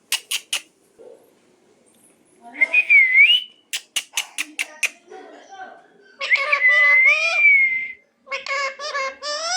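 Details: Pet talking parrot, described as new and very frightened, giving sharp clicking notes and long wavering whistled tones, some rising and falling, among rapid short bursts while a person coaxes it with words.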